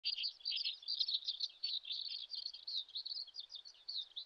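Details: A common sandpiper at a riverbank in the Shin'etsu region of Japan in late May, with chicks nearby, gives a rapid, thin, high-pitched stream of piping notes, about two to three a second, unbroken over faint background hiss.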